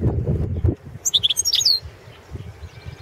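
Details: Competition song of a European goldfinch, subspecies balcanica, for the 2017 world championship: after a brief low thumping noise, one quick phrase of high, liquid twittering notes ending in a short descending slur.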